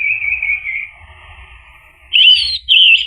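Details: Orange-headed thrush lure song for coaxing another bird to sing: a steady soft warbling trill, then two loud clear whistled phrases.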